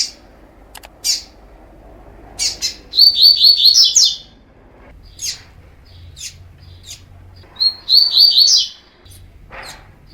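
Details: Fibra-style song of a Double-collared seedeater for training: two rapid runs of high, sweet, stuttering notes a few seconds apart. Scattered single sharp chips fall between them over a quiet background.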